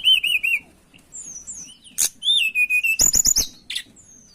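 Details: Energetic mountain tailorbird song for luring: three wavering high whistles, thin sliding notes, a sharp click, then a descending whistled phrase and rapid ticking chatter with bright high notes.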